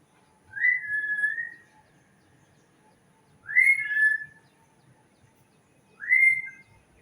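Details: Clear, whistled bird call repeated three times, roughly every two and a half seconds, each a rising then slightly falling slurred note with a short trailing tail, over a quiet background.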